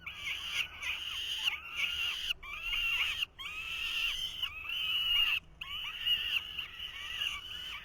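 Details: In a 2023 nest, falcon chicks scream for food as the male struggles to feed them: loud rasping screeches in bursts of about a second, separated by brief silences.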